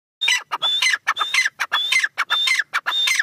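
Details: Partridge calling loudly in repeated bursts, each phrase opening with a clear whistled note followed by harsh, squawking syllables that drop in pitch, about seven phrases in quick succession.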